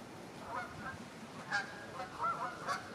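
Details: Canada geese from a flock of over 100 feeding in a Wiltshire stubble field in October 2019. Four clear, clipped honks follow one another quickly, rising slightly in pitch, with soft background hiss.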